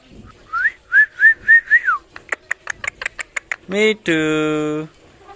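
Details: Pet parrot whistling, then talking: four smooth, arched whistles, a quick series of sharp clicks, then two drawn-out, voice-like tones, one wavering and one held flat.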